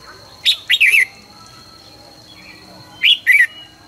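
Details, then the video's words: Red-whiskered bulbul singing a morning training song in the căng lửa style: two short phrases of bright, warbled whistles, each a sharp rising note followed by a quick tumbling trio, with a thin constant high whine behind. "luyện chào mào hót sáng 2020- Hót hay nhanh căng lửa - Cách luyện chào mào hót căng lửa"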